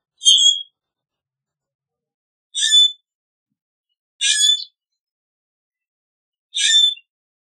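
Common grackle giving four short, harsh, squeaky rasping notes, each under half a second, spaced about two seconds apart; no other sounds.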